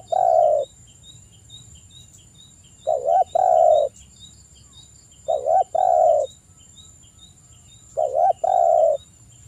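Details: Energetic spotted dove cooing sweetly in a steady series of low, rounded phrases, each a quick double coo and then a longer sustained coo, repeated every two to three seconds. Faint high ticking chirps and a steady whine run behind.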